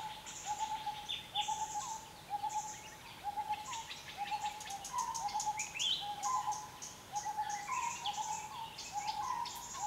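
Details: Asian barred owlet calling with short, slightly rising hooting notes repeated about twice a second in a steady run, over a constant high insect drone and scattered higher chirps from other birds.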